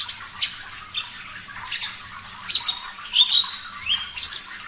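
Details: Javan bush lark of the parva form with a quieter start of scattered faint chirps, then a burst of loud sliding whistles and a rising note in the second half.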